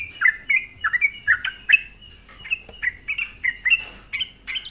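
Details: Sooty-headed bulbul lure song to provoke other bulbuls; a steady string of short, cheerful chirps, each bending down then up, about two or three per second over faint hum.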